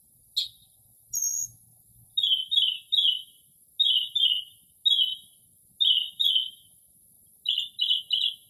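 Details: Northern mockingbird's late-night early-spring song imitating other birds: runs of two or three harsh, rapid downslurred notes repeated in a regular cadence, plus a few thin high squeaks, in quiet surroundings.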